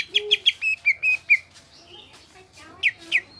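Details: Greater green leafbird giving a short gacor burst: several rapid sharp chirps, a few longer slurred whistles, then two loud descending notes after a brief lull.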